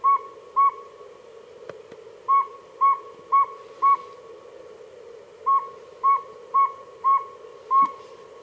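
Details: Northern Saw-whet Owl calling at night from trees near a pond in Ontario, recorded with frogs, giving a series of clear, evenly pitched toots, about two per second in runs with pauses, over a low steady hum.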